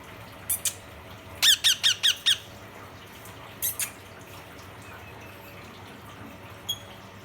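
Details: Rose-ringed parakeet calling to another parrot, in a quiet room: a quick burst of five shrill, harsh squawks, then a few more scattered screeches.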